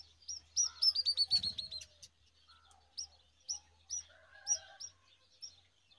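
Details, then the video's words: Brown rock chat chicks calling while being fed worms by an adult. A quick run of high, sharp chirps bursts out early on, followed by spaced single chirps about every half second, with a brief flutter and a low hum. "Brown rock chat bird feeding different type of worms as compare to others"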